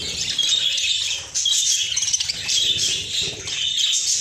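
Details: Budgerigars kept in a cage chirp busily at the sight of fresh corn; overlapping high twitters rise and fall in quick bursts, with a brief lull and some wing flutter.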